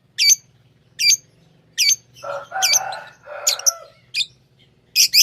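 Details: Pet lovebirds chirping: sharp high chirps repeated roughly once a second, with a lower, broader chattering burst in the middle and a faint low hum underneath.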